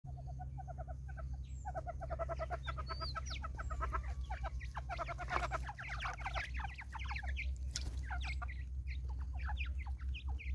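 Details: A flock of Natal spurfowls in woodland in South Africa: a dense, harsh chorus of rapid cackling notes that builds and overlaps throughout, with a steady low hum underneath.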